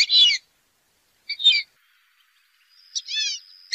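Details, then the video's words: A wild duck gives three short, high, harsh-whistled calls about a second apart, the last a drawn-out wavering whistle over a faint steady tone. "wild duck"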